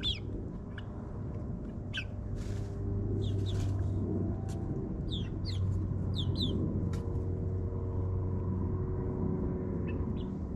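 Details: Young backyard chickens in their ninth week, out in a suburban yard, chirp and cluck in quick bursts during the first seconds, then fall quiet while a lawn mower drones on.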